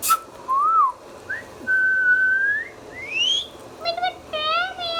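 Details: Pet Indian ringneck parrot producing a varied whistled sequence of arched, level and upward-sweeping notes, ending in short stacked harmonic chirps repeated quickly.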